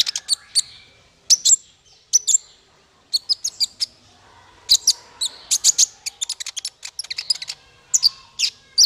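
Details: Male konin (kolibri ninja), a sunbird, singing as a training song for songbirds: rapid, very high, sharp chirps and tinkling notes in quick bursts with short pauses, clean background.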